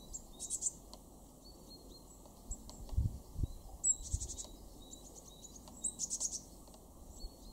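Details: Great tit in a garden in Weener, East Frisia, northwest Germany, February 2023: short, very high, sibilant call bursts about every two seconds with thin faint tones between, over low rumbling wind and handling noise.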